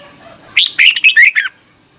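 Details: Red-whiskered bulbul singing in the morning, "ché" style phrase meant to spur other bulbuls: five rapid, liquid warbled notes within one second after a quiet start, over a thin constant high tone.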